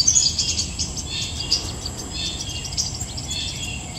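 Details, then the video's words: Copper-throated sunbird song: thin, very high chittering and twittering notes in bursts, fading to quieter high trills, over a steady low background hum. "Tiếng chim Hút mật Tía ô"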